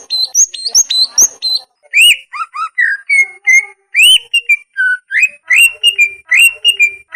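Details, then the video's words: Greater green leafbird training song for caged birds reluctant to sing or molting: high sharp chips at the start, then varied whistles, rising slurs and paired clear notes in an uneven series. "kusus masteran cak ijo malas bunyi dan cak ijo mabung"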